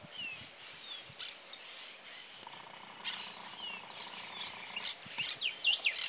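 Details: Greater yellowlegs at the Escuela Alberdi reserve, Oro Verde, Entre Ríos, giving clear, high, downslurred whistled notes in short bursts, loudest near the end, over a chorus of other small birds and a low hum.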